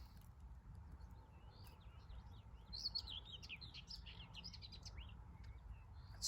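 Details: Common whitethroat (Curruca communis) male near its nest area gives a brisk, scratchy warble of jumbled high notes lasting about three seconds, over low rumbling wind and handling noise; sunny day, 14 May 2023.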